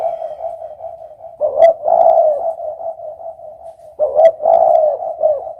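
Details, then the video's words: Spotted dove cooing: low, soft, hollow coos in two bursts a couple of seconds apart, over a steady low humming tone that runs throughout. "suara burung derkuku"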